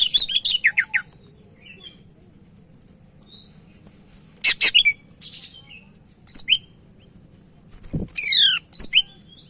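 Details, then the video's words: Medan Sumatran leafbird in full song, used as a daily tutor recording: opens with a fast run of harsh high notes, then separate squeaky phrases and a quick trill near the end, low electrical hum beneath. "Burung Cak Ijo Medan Gacor"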